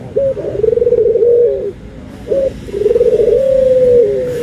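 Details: Cooing dove, with white and brown doves compared: a pulsing, warbling low coo, a brief break with a short coo, then another long pulsing coo that flattens out at the end.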